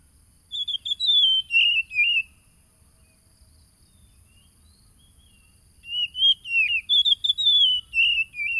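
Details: Lure song of an Oriental magpie-robin, phone-recorded 30 July 2022 in East Lampung, Indonesia, for provoking a mute wild-caught caged bird: two bursts of sweet, warbling whistles, each a rapid string of wavering, falling notes, separated by a long silence.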